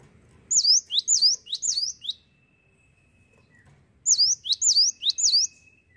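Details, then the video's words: Cinereous tit singing: four piercing whistled notes dipping and rising, a pause with a faint steady tone, then another four in the same pattern. "GELATIK WATU GACOR NGETROLL"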